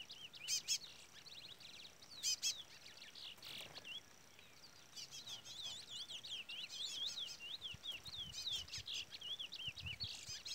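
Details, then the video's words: Brown-plumaged chestnut-bellied seed finch singing in the Trola style, with a chick peeping nearby; short stacked high peeps early on give way to a long run of quick, wavering, whistled warbling notes that rise and fall. "Curió Pardo cantoria Trola / Curió Pardo Trolinha"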